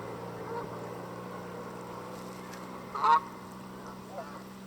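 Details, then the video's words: Canada goose by a lake in Southern Ontario, Canada, recorded up close before walking away limping on a sore leg; one loud, nasal honk, then a fainter short note, over a steady low hum. "Canadian Goose Honking"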